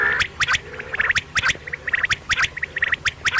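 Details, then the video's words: A quail calling at night gives rapid bursts of short, harsh notes with a clicking edge, several per second in uneven clusters, over a faint low background hum. "Quail sound batair ki awaz"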